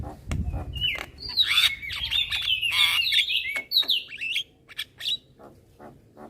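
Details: Young Javan myna, kept bird, nodding its head while chattering nonstop: loud, varied run of squeaky whistles, harsh buzzy notes and sliding trills. A low thump opens the passage, then it fades into scattered clicks.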